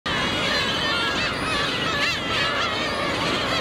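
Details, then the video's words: A crowd of black-tailed gulls at Otaru begging for fish gives harsh, mewing, cat-like calls that overlap continuously, rising and falling. "The world of the black-tailed gull 魚ちょーだい とられた❗ またちょーだい🐟"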